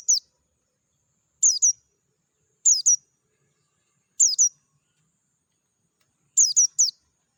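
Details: Dakun Oriental white-eye heard wild in a natural setting, voice clear: very high, thin descending chirps, mostly in pairs, returning about every one and a half seconds against a silent background.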